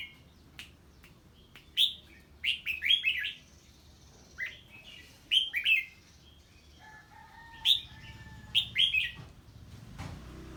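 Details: Red-whiskered bulbul answering an unfamiliar bird: short whistled phrases of falling notes in irregular bursts, a steady low whistled tone late on, ending with a brief low rustle.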